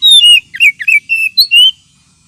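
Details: Oriental magpie-robin calling to lure birds, a sound also used as therapy for magpie-robins short on aggression: a rapid string of about seven clear whistled notes, several slurred downward, ending on a sustained rising whistle.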